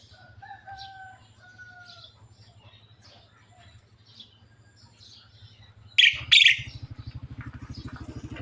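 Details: Javan myna talking until it coughs: two soft drawn-out whistles and faint chatter, then two sharp loud rasping bursts over a steady low background hum.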